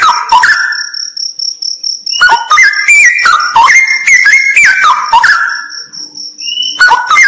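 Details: Straw-headed bulbul with a short descending whistled phrase, a pause filled by a high pulsing insect-like tone, then a long bubbling outpouring of rich, stepped whistles and another brief phrase at the end.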